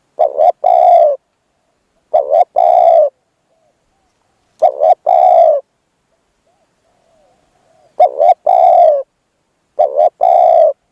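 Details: Spotted dove luring a wild dove as a decoy: five low, resonant phrases, a clipped double note then a long coo each time, with longer pauses midway through.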